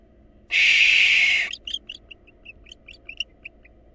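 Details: Long rasping, hiss-like barn owl screech lasting about a second, then a loose series of short high chirps, heard at a nest during a fight between a female intruder and the nestlings' father.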